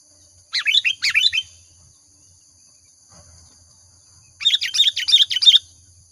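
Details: Chatty sooty-headed bulbul in full lure song: two bursts of fast, bubbly chirping notes, the second longer with about six quick notes, separated by a three-second pause.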